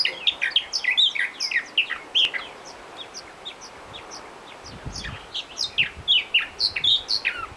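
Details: Mockingbird singing in January on Long Island in the central Bahamas: a varied stream of short whistled and chirped phrases, rising and falling, delivered in quick bursts with brief pauses, over steady outdoor background noise.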